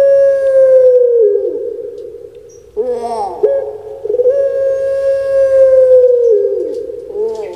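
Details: Pet puter pelung collared dove from Indonesia, a bird famed on Java, giving a drawn-out, level hooting note that sags, then a rough rolling gurgle, then another long, smooth, slowly falling coo and a short final rise.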